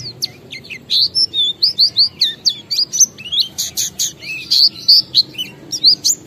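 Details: Oriental white-eye, ngalas-style song used as a lure for other white-eyes: steady rapid twittering of high, varied, up- and down-slurred whistled notes, about three to four per second.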